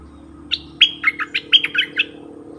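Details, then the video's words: Decoy bulbul in full plumage, kept to lure wild birds in the forest, recorded 08/08/2021: one quick phrase of about seven bubbly, warbled notes, each dipping and rising, over a faint low hum. "เสียงนกดอกแตงEp.68นกต่อเจ้าแบงค์ ไม่เถียงนกป่าสักคำ!!แต่?? Suara merbah lekir gacor"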